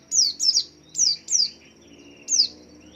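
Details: Swaying white-eye singing to lure other white-eyes into joining: clear, high, downward-slurred chirps, paired then single, repeated briskly about once a second over a soft constant tone.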